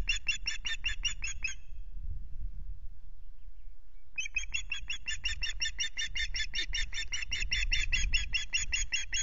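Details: Osprey calling at the Loch Garten nest, filmed by a nest camera on 26 May. A rapid string of piercing chirped notes stops for about two seconds of quiet rumble, then resumes as an even longer, steady, insistent chirping run.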